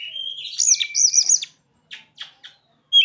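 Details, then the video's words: Oriental magpie-robin singing a song filled with mimicked phrases of other birds; a sustained whistled note leads into fast warbled, rising and falling trills, then a few short sharp chirps after a pause. "Kacer isian burung ciblek dan sogon"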